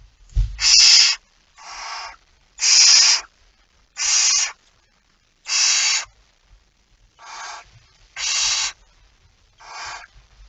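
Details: Nine rasping hisses of varying loudness from a barn owl at the nest during feeding, 05:28 on 19 September 2019, spaced about a second apart, with one low knock near the start.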